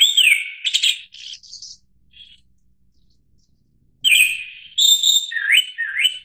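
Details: Japanese thrush (Turdus cardis) singing clear whistled phrases with quick rising slurs and sharp high notes, a short pause, then a longer varied phrase of looping whistles.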